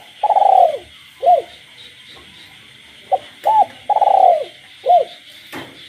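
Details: Captive spotted dove calling after dark in a village setting alongside frogs. It gives two phrases, each a long rolling pulsed coo followed by a short arched coo, with small notes between. A sharp click comes near the end and a high hum continues throughout.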